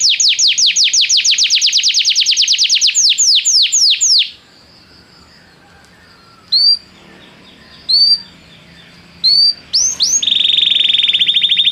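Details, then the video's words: Canary song used to get a canary singing: descending whistled sweeps for four seconds, a quiet gap broken by three short rising chirps, then a fast buzzy trill at the end. "o som de atrair seu canário para cantar imediatamente"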